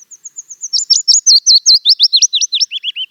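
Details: Willow Warbler song, a bright slightly descending warble of rapid sweeping notes, beginning with faint high ticks, growing loud in the middle and sliding lower toward the end, all within about three seconds.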